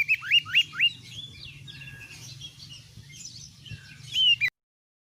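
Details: White-rumped shama song used as tutoring to make other birds combative: four quick rising whistled notes open, softer varied twitters follow, and a final loud whistled phrase ends abruptly, over a low humming background.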